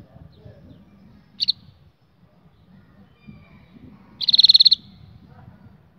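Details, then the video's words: Canary song for training young canaries: a short high double chip, then, after a pause, a loud half-second rolled trill of rapid even pulses over faint low background noise. "Canary 's most powerful song for training 2022 اجمل تغريد لتعليم فراخ الكناري"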